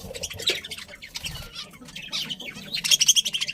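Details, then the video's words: Happy budgerigars in a colony give a steady stream of rapid, scratchy chirps and twittering notes several times a second. The chatter swells into louder, bright squeaks near the end. "Happy Budgies Chirping Sounds"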